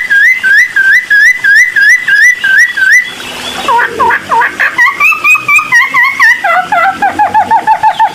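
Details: Bulbul song (cucak timor) used as a tutor recording and lure to draw a quick response from other birds: rapid, loud, whistled slurred notes about three per second, steady at first, then shifting pitch and ending in lower, falling phrases.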